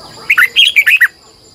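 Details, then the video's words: Morning competition song of a red-whiskered bulbul decoy bird, delivered in a long, twisted double-voice style: six bright, loud warbled notes in under a second, jumping up and down in pitch, over a thin steady hiss. "Luyện chào mào hót sáng 2020, Giọng kép xoắn dài hót căng, Chào mào mồi gọi bổi hót hay"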